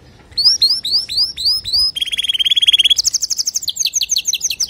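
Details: A male canary sings as a model for young canaries, opening with a series of rising, sweeping whistled notes, then breaking into fast, rapid trills and rolling chirped phrases at high pitch.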